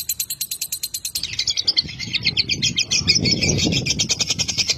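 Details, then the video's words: Lovebird ngekek chatter, a fighter bird's song played to coax other lovebirds into long singing: fast, piercing repeated notes that shift lower after the first second, over a rumbling low background noise. "Suara Lovebird ini JOSS Buat Pancingan Buat Lovebird Agar Cepat Ngekek"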